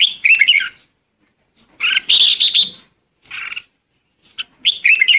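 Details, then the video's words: Flock-gathering calls of the red-whiskered bulbul: dense warbled bursts of chirps lasting under a second, separated by clear silent gaps, loud and close. "Chim chào mào gọi đàn"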